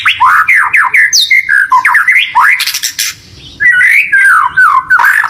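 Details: Loud white-rumped shama song used as a lure to make a pet bird sing along and get excited: rich varied whistles with fast up-and-down sweeps, tumbling phrases and brief harsh notes, delivered almost without pause.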